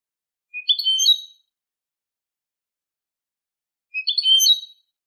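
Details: Eurasian goldfinch, Malaga-style tutoring song for goldfinch chicks and hybrids; two short matching phrases of quick, rising twittered notes, spaced about three seconds apart, with silence between.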